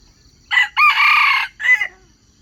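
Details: Wild chicken crowing as a lure for trapping wild chickens: a short opening note, then a long, harsh, even-pitched middle phrase and a brief clipped ending, about 1.5 seconds in all, with a faint steady insect trill behind.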